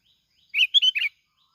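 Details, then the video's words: Plain-backed sparrow, Bình Thuận, Vietnam, kept as a lure bird, sings a brief chirped triplet in about half a second, sharp and sparrow-like, against a silent background. "bông lau Bình Thuận. tiếng chim bông lau kít bổi"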